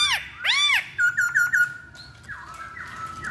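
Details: Chinese hwamei (poksay Hongkong) on a lure recording: two loud arched whistles, then four fast sharp notes, followed by softer long tones with downward slurs.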